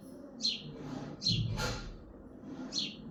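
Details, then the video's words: House sparrow chirping from a balcony in Hazaribagh, India; three quick bright chirps interrupted by a brief low thud and rustle in the middle. "Bird Chirping in balkoni"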